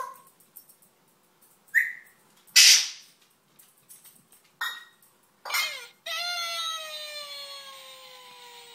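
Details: Pet parrot imitating the cartoon cry "Oh no!", mixed with short chirps and squawks, then a long falling wavering note with clear harmonics in the final seconds.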